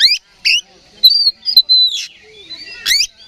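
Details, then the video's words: Oriental magpie-robin stirred to fight by a decoy recording, giving harsh buzzy notes, a long slurred high whistle and a final rasping burst. "KACER GACOR NGEPLONG TARUNG"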